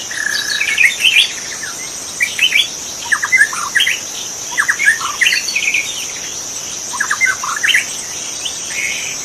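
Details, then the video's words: Forest-dwelling wild magpie-robin sings a sequence of varied whistled phrases, some rising, some clipped, spaced by brief gaps, while insects buzz steadily in the background. "suara burung murai asli di hutan"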